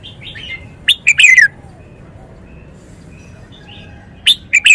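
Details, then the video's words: Caged red-whiskered bulbul in phleng pa wild-song style with a big core tone: two emphatic phrases roughly three and a half seconds apart, quick notes flowing into falling whistles, with quiet twitters between. "นกกรงหัวจุก 292 เพลงป่า แกนโต"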